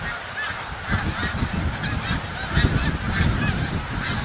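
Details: Migrating snow geese at Montmagny, the capital of the Snow Goose: many overlapping honks and yelps forming a steady din, with rumbling wind noise low underneath.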